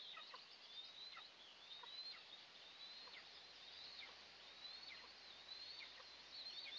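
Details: Two eaglets of Eastern imperial eagle (Aquila heliaca) in a nest at their first breakfast of the day, June 29, 2024. Thin, high whistled chirps and short downward-slurred notes repeat about once a second over a steady hiss.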